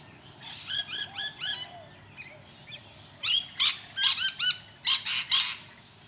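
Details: Rainbow lorikeets at Deception Bay, south-east Queensland, Australia, give harsh, shrill screeches in quick bursts, about two a second, growing louder and more grating toward the end.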